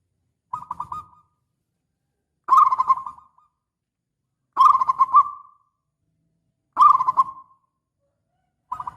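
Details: Local zebra dove with a big voice, used as a lure to draw replies, repeating short bubbling coo phrases about every two seconds, each trailing off softly.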